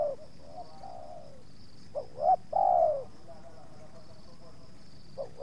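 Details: Spotted dove coo phrase from a yard where a decoy bird drew two wild doves, one resisting: a drawn-out coo, then short notes leading into a loud, long, downslurred coo, and the next phrase beginning, against a steady faint high-pitched hum.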